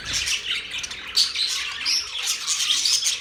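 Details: Birds chirping on October 3, 2023: continuous high chatter of many voices, thin whistled notes and rough squawks woven together, with small peaks of louder calls throughout.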